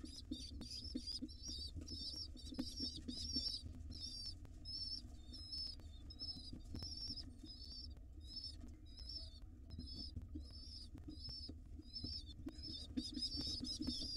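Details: Hungry wild pigeon nestlings begging while their mother feeds them in a nest box: dense, high, squeaky chirps repeated rapidly and irregularly throughout, over a steady low hum and occasional soft knocks.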